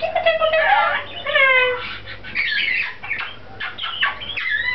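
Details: Caged pet lorikeet chattering in a speech-like way while its owner is overseas: harsh gurgles, bubbly warbles and bright squeaky whistles run together without pause.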